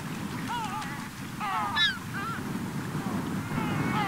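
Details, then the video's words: Gulls gathering at summer's end on a Cotentin beach in France, 7 September 2024; several overlapping mewing, wavering calls from a number of birds, one sharper peak midway, with low surf rumbling underneath. "Mouettes et Goélands/Regroupement/Fin d'Été !"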